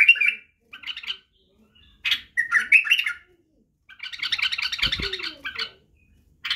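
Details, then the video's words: White-eared bulbul (Badrawi bulbul) song for teaching young bulbuls to sing and the barwaz style. Short warbled phrases are separated by silent gaps. One longer, denser burst of rapid chattering notes is heard near the end, with a brief low thump. "لتخريج وتعليم افراخ البلابل على التغريد و البرواز وطك الجناح بلبل بدراوي"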